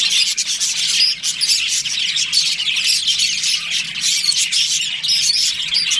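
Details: Budgerigars breeding in a colony, many birds calling together: continuous high chirping and squawky chatter with brief dips in volume, no other sounds standing out.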